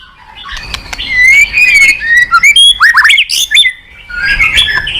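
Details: White-rumped shama song played to provoke a quiet caged bird into singing: a busy rush of whistled, sliding notes and harsh chips packed into a loud burst, fading to softer warbling at the end.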